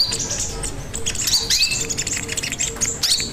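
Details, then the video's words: Crimson sunbird song recorded for training and luring other birds: irregular bursts of high, sharp chirps and short sliding whistles, with a soft low tone repeating in the background. "Pancingan Dan Masteran Burung Sogon Gacor Dor"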